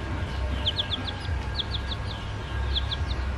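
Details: A pet baby chick about four days old, kept with ducklings, peeps in quick, high, slightly falling notes about four a second in short bursts, over a low steady hum; chicken.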